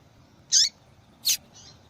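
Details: Calling female yellow-bellied seedeater, used to stimulate males to sing: two sharp high chirps about three quarters of a second apart, then a softer faint note, above a quiet low hum.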